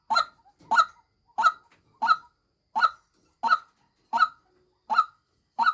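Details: Nine rasping, clipped calls from a female white-breasted waterhen kept as a decoy, delivered at a brisk even pace, close and clear.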